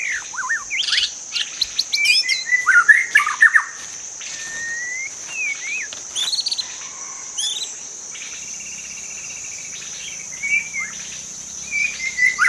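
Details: Wild forest magpie-robin: varied whistled phrases, slurs and chirps in irregular bursts, over a constant high, thin insect drone throughout.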